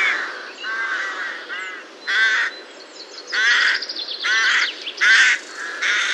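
Rook giving harsh, grating caws in short bursts, about one every second, some rougher and buzzier than others, with no other clear sounds.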